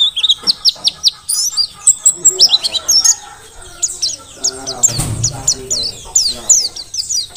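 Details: Merapi forest-type Mountain white-eye in very active song for tutoring other birds: a dense, rapid twittering of high, quick chips and slurred notes, briefly broken by a low thump.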